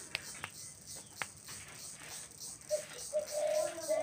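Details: A dove calling on a finger signal: a few sharp taps come first, then a low, hollow coo swells and holds over the last second and a half, indoors in a small room.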